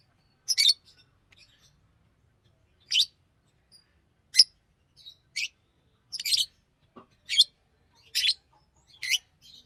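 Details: Chirping green Fischer's lovebird gives scattered squeaky high notes at irregular intervals, some doubled, with faint low rumble underneath.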